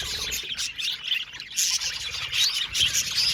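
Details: Colony of Australian budgies chattering together in an aviary: continuous high twitter with sharp chirps and short whistled squeaks popping out every second or so over a busy background.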